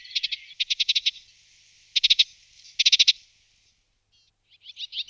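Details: Melodious warbler giving short bursts of fast, dry chattering notes in four clusters over about three seconds, then a few softer rising slurred notes at the end; no other sounds.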